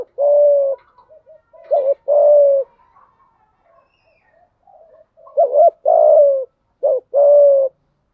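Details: Caged decoy spotted dove calling to draw in wild doves. Mellow low coos come in two bursts, pairing short notes with longer steady coos. Quiet gaps fall between the bursts, with faint soft sounds in the background.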